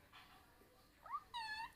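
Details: A pet parrot talking: a brief faint upslurred syllable, then a steady, richly harmonic nasal note lasting about a third of a second, in a quiet indoor setting.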